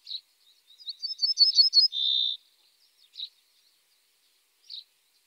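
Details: Common starling (Sturnus vulgaris) song phrase: quick twittering chirps building up, then a flat, steady buzzy note about half a second long, followed by isolated soft chirps after pauses.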